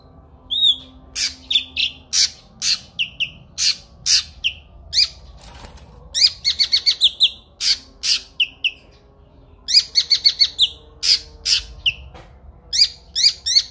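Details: Kinoi long-phrased song for training songbirds: rapid series of high crisp chirps and whistled notes, some in fast repeated runs, short pauses between phrases, quiet background.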